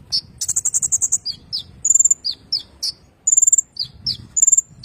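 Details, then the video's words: Rolling song of a sunbird (kolibri ninja), meant as a master song for magpie-robins: dense, very high chirps alternating with bright sustained whistles and buzzy rattles, rapid and continuous, with a soft low background murmur. "kolibri ninja ngerol cocok buat masteran burung murai batu"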